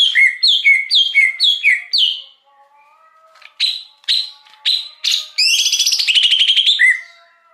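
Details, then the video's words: Wild greater green leafbird luring song: repeated falling two-note phrases, a pause with faint soft tones, a few loud spaced notes, then a buzzy rattling trill ending in a slur. "Suara Pikat Cucak Hijau Liar – Ampuh Menarik Burung Alam"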